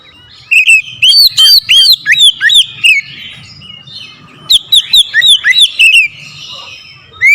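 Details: Powerful oriental magpie-robin song meant to rile a rival bird into singing: two rapid runs of loud, looping whistles and sharp chips, separated by a short pause, with a final whistle near the end.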